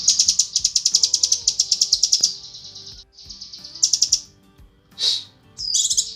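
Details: Female cucak kinoi calling the male: rapid bursts of sharp, high chirps strung into fast trills of about ten notes a second, a brief pause, then shorter buzzy chirp bursts.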